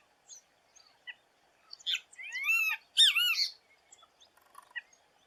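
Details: Great Kiskadee (bem-te-vi) from Brazil's native fauna: three loud, harsh, arched notes with rich overtones in a quick burst mid-clip, surrounded by a few faint short chips on a quiet background.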